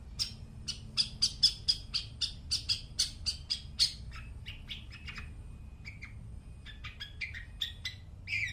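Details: Long-tailed shrike singing, used as a lure to train mute shrikes: a fast series of short, sharp high chirps about four per second, then softer scattered notes and a brief harsh burst at the end.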